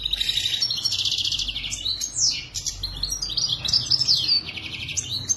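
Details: European goldfinch of the authentic Moroccan maknin type in continuous song: loud, fast, high twittering with buzzy trills, sweeping slurred notes and liquid chirps running throughout with hardly a pause.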